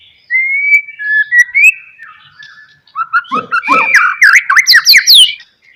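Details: White-rumped shama singing in a 'gacor' style used as a lure for other shamas: long clear whistles that slide upward, then a rapid burst of varied rising and falling notes with a few sharp clicks.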